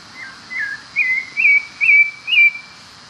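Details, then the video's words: Pale-breasted thrush singing freely in the wild: a run of six clear whistled notes, the first lower and slurred, the rest short rising-falling whistles about two per second, over quiet background hiss. "Sabiá branco - Já ouviu o canto desse Sabiá?"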